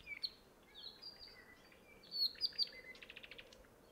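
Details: Apapane, a native bird of the Hawaii Island rain forest: thin high whistles and short sliding notes, then a few louder clipped notes and a rapid even run of ticking notes toward the end. Soft steady background hiss.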